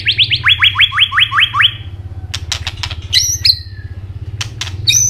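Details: Asian robin singing: a fast series of rising whistled sweeps, then dry clicks and high bright chirps near the end, with a low droning hum throughout.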